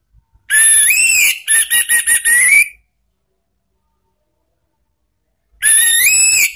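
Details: Orange-headed thrush in the ngeplong and ngeriwik singing styles, used as a lure to provoke caged birds. Loud whistled phrases: a bright rising whistle, then a burst of rapid clipped notes, a long pause, and another rising whistled phrase.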